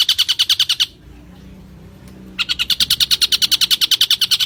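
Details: Champion long-tailed shrike (cendet) training recording: fast, evenly spaced burst of high, harsh notes, then over a second of near silence, then a longer, steady run of rapid, repeated notes to the end.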